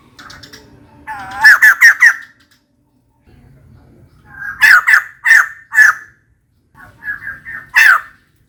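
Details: Female white-crested laughingthrush calling for a mate gives three bouts of loud grating squawks, each bout a quick cluster of three to five harsh notes with quieter chuckles before them.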